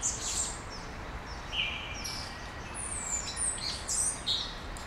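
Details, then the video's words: Birds at dawn in Brasília, Brazil, giving clear high whistled notes, some sliding downward and others rising, in a loose overlapping chorus over a constant low rumble of background noise. "Passarinhos ao amanhecer"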